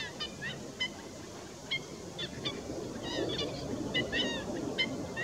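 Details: Black-winged stilts (Himantopus himantopus) give sharp, nasal, yapping notes, single or in quick pairs, about once a second. Several birds overlap over a steady rush of wind or water.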